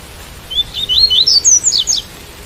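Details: White-collared seedeater song: a quick phrase of thin, high whistled notes, about ten, sliding upward and twittering, lasting roughly one and a half seconds against a quiet background.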